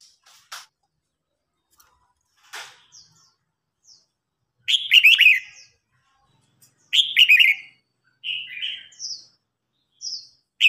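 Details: Red-whiskered bulbul in a singing duel, an older bird provoking a young newly caught bird. Faint scattered chips give way to loud, sharp warbled bursts of tumbling whistled notes, then shorter whistled fragments and high thin notes, separated by silent gaps.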